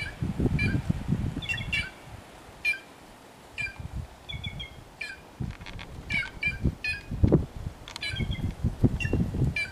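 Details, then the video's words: White-naped jay in the wild producing rapid clusters of short bright chirps and clucks at irregular intervals, with low rumbling noise in bursts. "Quem-Quem ou Gralha Cancã"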